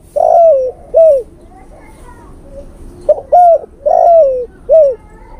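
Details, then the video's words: Male spotted dove cooing for a female, used to lure birds: two phrases of mellow, arched coos, each with a longer sliding note and a short rounded one, separated by a quiet gap with faint low cooing. "SUARA PIKAT TEKUKUR JANTAN memanggil betina"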